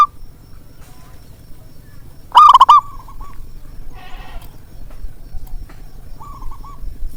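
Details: Zebra dove lure call for reluctant singers: one loud, quick, trilled coo phrase followed by a trailing softer coo. A faint answering coo follows later, along with a brief rattle and a steady low hum.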